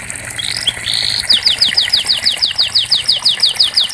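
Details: Singing canary meant to stimulate silent canaries: a soft warbled phrase and a held buzzy note, then a steady series of about fifteen crisp descending chips.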